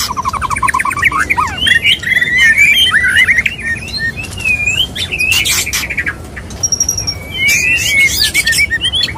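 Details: Male white-rumped shama courting a female with a varied mating song: rapid trills, sweeping whistled slurs and bright upslurred notes, broken by sharp clicking bursts and short pauses.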